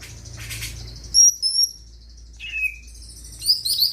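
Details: Greater green leafbird singing to prompt other birds: a buzzy rattle, then long pure high whistles, a lower falling slur, and a closing run of rapid sweet warbled notes.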